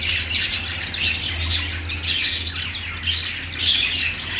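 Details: Budgie singing with busy overlapping chirps and harsh little squawks, a steady high chatter in quick bursts from more than one bird, over a faint low hum.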